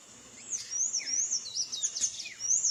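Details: Sayaca tanager in song, living free in nature. Slurred, shrill notes in a continuous, excited warble follow a brief hush. One brief snap-like click is heard midway. The bright high twittering resumes at the end.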